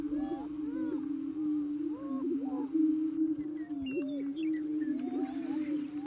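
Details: Greater prairie chicken lek in Yuma County, Colorado, April, more than 35 birds; low sustained booming hum from inflated air sacs, with looping arched whoops and yelping cackles repeating throughout, a faint high tone early on.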